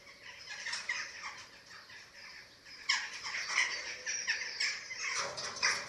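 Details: Webcam at a Eurasian eagle-owl nest in Germany, 27 March 2024, during feeding: quiet scratchy rasps at first, then louder, dense hoarse hissing bursts continuing to the end.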